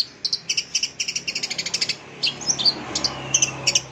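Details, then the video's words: Long-tailed shrike, caged bird, song played to stimulate silent birds into singing: rapid series of sharp high chirps in steady bursts, then scattered harsher notes and short whistles, with a faint low hum underneath. "Suara Cendet Ini AMPUH Mengatasi Cendet Macet Bunyi, Mbagong dan Mbayi !"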